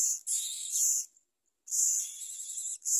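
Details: Myna chick being fed a large blue caterpillar by its parent, giving long harsh hissing rasps of about a second each, separated by a short silence.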